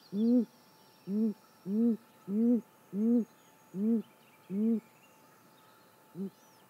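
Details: Nest camera, early morning of 28 May 2017: a female great grey owl gives seven deep, booming hoots at slightly uneven spacing, then a pause and one short soft hoot. Faint distant birdsong is heard behind.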